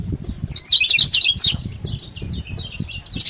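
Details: Lemon-bellied white-eye singing as a master to prompt reluctant birds: a dense, quick run of high chattering, warbled notes fading into softer twitters, with low rustling noise underneath.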